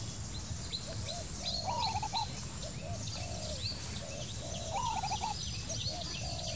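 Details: Wild spotted dove cooing: a wavering, trilled coo phrase rising to a higher quavering note, then lower hollow coos, repeated twice, with many thin high chirps of other birds and steady low background rumble.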